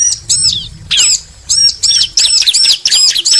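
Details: Bar-winged prinia, male and female answering each other: irregular arched high notes and harsher chirps, some overlapping, with faint low rumble.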